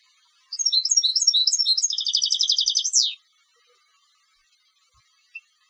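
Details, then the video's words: Competition European goldfinch delivering one phrase of about two and a half seconds: crisp twittering notes that speed into a buzzy rattling trill and end in a steep downward slur, then quiet. "Canto del Jilguero de Concurso"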